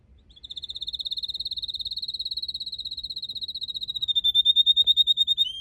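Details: Red canary in a Japanese garden, late March, with purple azaleas in bloom. A long, even, rapid trill of identical high notes holds steady for about four seconds, then shifts to a slightly lower, louder pulsed trill.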